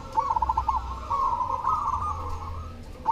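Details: Zebra dove, cemani type, in steady song. A bubbling run of quick coo notes flows into a longer trilled phrase, with a low rumbling hum behind.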